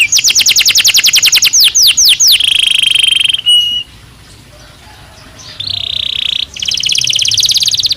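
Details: Belgian canary singing naturally, opening with a fast repeated trill of sweeping notes, then buzzy rolled tours that stop for about two seconds of near silence before two more dense, rattling rolls.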